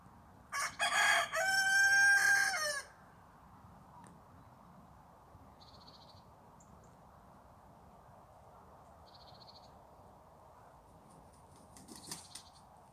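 A rooster gives one loud, harsh cock-a-doodle-doo lasting about two seconds, then steady background hum with a few faint high chirps.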